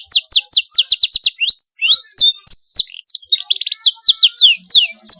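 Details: Canary singing loudly to spur young canaries: quick downslurred whistles in bursts, rising sweeps, and short buzzy trills, varied and continuous throughout.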